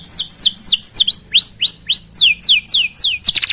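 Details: Singing canary, a recording for prompting other canaries: loud, clear whistled notes sweeping sharply downward, repeated about four per second, with a brief harsh burst at the close.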